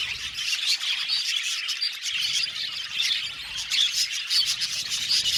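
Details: Colony of budgerigars kept in an aviary: a busy wall of shrill chirps, squawks and twittering from many birds at once, with brief sharper whistled notes standing out above the steady chorus.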